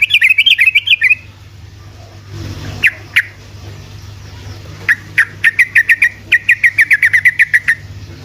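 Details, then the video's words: Sooty-headed bulbul singing to stir other bulbuls: an opening warbled trill, a pause with faint rumble, then rapid repeated bright chirps running together into a quick chattering series. "Trucuk ropelan GACOR🔥‼️ amunisi untuk burung trucukan malas bunyi otomatis langsung nyaut🔥‼️"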